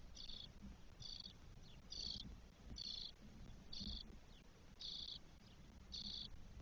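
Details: Four 12-day-old spotless starling nestlings in a nest in Spain, 1 June 2022: raspy, buzzy bursts repeated about once a second over a low rumbling background.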